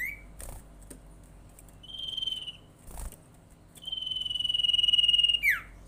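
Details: Common iora lure call meant to make other ioras call: a short trill, a brief buzzy whistle, then a long steady trilled whistle that ends in a sharp downward slur, with occasional clicks.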